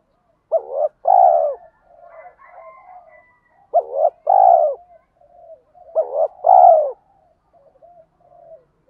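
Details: Spotted dove used as a decoy, calling the provoking "tiếng thúc" to lure wild doves: three deep two-note coo phrases about every 2.5 seconds, with quieter soft coos and faint higher notes in the gaps.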